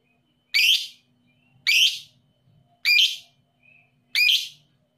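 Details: Kept lovebird, labelled 'paud emosi', whose calls serve as a lure to rouse lazy lovebirds into singing: four loud, harsh, shrill shrieks, each about half a second long, spaced roughly every 1.2 seconds, with faint low hum in between.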